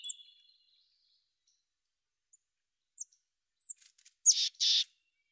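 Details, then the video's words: Mountain chickadee chirping: opens with a thin, steady whistled note, then sparse sharp high chips, followed by a pair of loud, rough buzzy notes close together at the end; otherwise quiet. "Mountain Chickadee Chirps"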